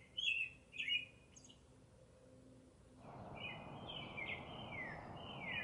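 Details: Cardinal song: two short whistled slurs, a pause, then a fast run of downward-sliding whistles over a rising hiss of background noise.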